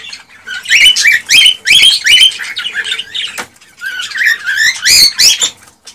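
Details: Excited male cockatiel song for stimulating a female to mate and breed: quick rising whistles and chirps repeated in a lively run, then a slurred whistled phrase and more chirps.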